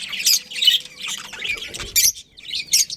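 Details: Budgerigars of a breeding colony chirp and squawk in short, harsh bursts about every half second, broken by a brief pause, with a faint steady hum in the background.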